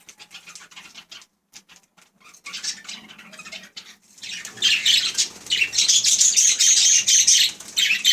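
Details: Faint scattered chirps from budgerigars build after four seconds into loud, continuous, scratchy high chatter with sharp squeaks.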